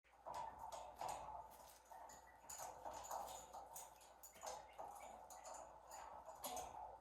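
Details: Two pet Rose-ringed parakeets (Psittacula krameri) sharing a cage chatter in low, throaty mutters, with sharp clicks and tapping throughout.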